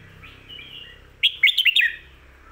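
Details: One short, bright phrase from a red-whiskered bulbul, a popular 'pad kuay tiew' or 'mae bot' style song. Quiet warbling comes first, then five or six snappy, looping whistles in under a second.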